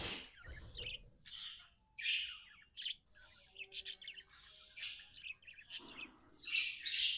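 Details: A happy budgerigar kept as a pet makes bright, scratchy chirps in short bursts with small gaps, keeping up a lively, uneven rhythm.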